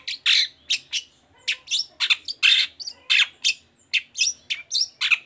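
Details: Long-tailed shrike in lively 'toet toet' style song, used to prompt reluctant shrikes to answer and sing; harsh, scratchy, buzzy notes delivered in a fast run of about three per second, some with higher squeaky overtones, no other sounds.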